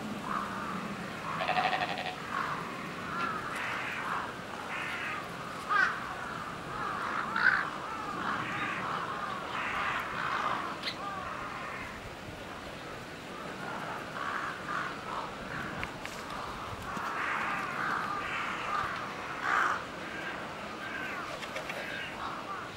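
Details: A crow at Chiba Zoological Park, pecking at a mouflon, gives harsh, hoarse caws in uneven bursts over a faint outdoor background.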